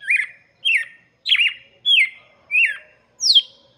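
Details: Six clear, loud red-cowled cardinal whistles for chicks, mostly mid-pitched downslurs with a buzzy tail, the last rising higher before sweeping down, evenly spaced about 0.65 seconds apart.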